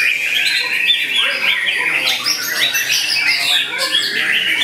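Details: White-rumped shama aged eight to nine months, a young contest bird, pouring out a steady stream of fast warbled and whistled notes, mostly high and bright, with sharp chips woven in.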